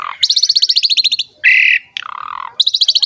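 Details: Asian pied starling song, recorded to train and lure other starlings: fast rattling series of high chirps, a short buzzy burst, a falling whistled note, then more quick repeated chirps.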